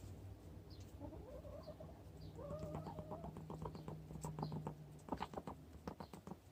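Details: Four-year-old hen, possibly in the early stages of broodiness and leaving the nest less often than the others, making a strange noise: a soft, wavering, rising whine, then a run of rapid low clucking pulses over a steady background hum.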